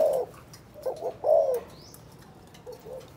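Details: Spotted dove in Cần Thơ, Vietnam, cooing in the chụp chụp ô calling style: a few brief, soft, slightly falling coos against a hissy, noisy background.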